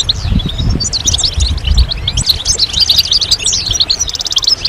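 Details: Several European goldfinches twittering together, calls said to rouse silent males into song: quick high tinkling notes and sliding chirps, ending in a fast buzzy trill, with low rumble beneath.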